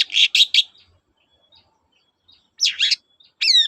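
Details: Long-tailed shrike song used as a lure to get silent shrikes singing again: three buzzy harsh notes, a pause, then two rasping notes and a falling whistled slur with harmonics.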